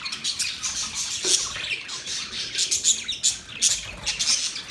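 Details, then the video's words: Budgies keep up an unbroken run of high, raspy chatter dotted with sharp, brief squeaks. "Budgies Parrot Talking sound Bird Chirping sound"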